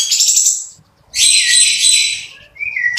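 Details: Long-tailed shrike singing a rough fill-in style: a long harsh, hissing high chatter, a brief silence, another extended scratchy burst, then a short clear whistle dropping in pitch before noisy chatter resumes.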